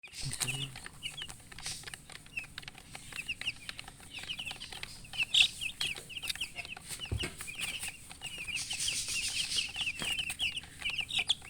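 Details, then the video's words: Chicks with a hen, described as a murgi hen, peep continuously: dense, high, short chirps repeated rapidly throughout, forming a steady twittering chorus, with a brief low hen cluck near the start and light rustling. "silly chicken chirping sounds with murgi hen color chicken"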